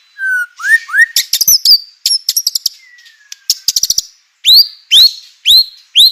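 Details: White-rumped shama song intended to provoke other shamas: upslurred whistles, rapid chip series, a soft falling whistle, then four loud rising whistled notes about half a second apart.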